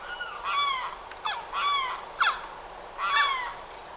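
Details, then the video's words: Limpkin in Florida, calling loudly: shrieking, crying calls, each a harsh descending wail with strong overtones, about four in four seconds with short sharp notes between them, over a quiet background. "Limpkin The Calls and Sounds of Florida's Loudest Bird"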